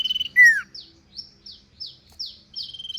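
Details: Sirpu song, ngentir style: a short trill, a loud downward slurred note, then a series of thin high falling notes spaced evenly, ending in another brief trill.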